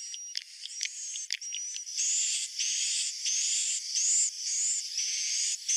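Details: Swiftlet roosting call: scattered sharp clicks and a thin whistle, followed by loud, high, buzzy bursts repeated about twice a second, some ending in a rising whistle.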